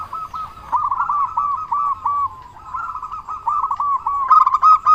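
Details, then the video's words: Local zebra dove with a big voice, used as a lure song to provoke other doves into answering; mid-pitched cooing notes in quick stuttering bursts, broken by a long wavering coo and a sharper final phrase. "Perkutut Lokal Gacor Suara Besar Pancingan Burung Perkutut Bikin Langsung Nyaut"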